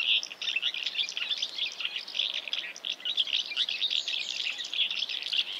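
House martins keep up a dense stream of dry, high chirrups and twittering, several birds overlapping almost without pause; nothing else stands out.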